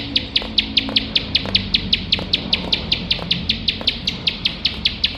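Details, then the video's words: Tireless 'nembak' song of a bar-winged prinia, a recording for training competition birds: quick bright chip notes, about five a second, pulsing steadily over light low background sound. "ciblek sawah gacor nembak nembak tanpa HENTI"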